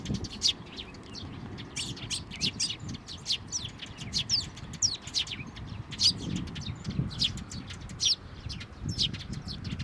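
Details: At a Tenmangu shrine on 22 May 2024, sparrows come for food and feed their chicks; busy overlapping high chirps run throughout, some louder bursts near the middle, with faint low noise beneath.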